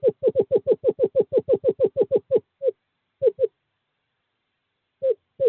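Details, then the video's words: Male screech owl calling a female to a nest box during courting season, 11 February 2023: a fast run of about fourteen low hollow hoots, then scattered pairs of hoots after short pauses, in otherwise silent surroundings. "Male screech owl calls female to owl box"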